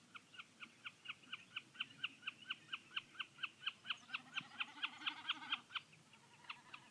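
Common snipe calling in a fast, even series of sharp, clipped chip notes, about four a second, that slows and fades near the end.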